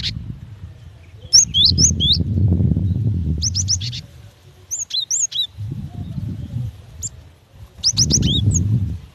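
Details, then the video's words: Calling female cinereous tit summoning a male: scattered groups of sharp whistled downslurs and quick chips, broken by pauses, with loud low rumbling noise between bursts. "Suara gelatik batu betina"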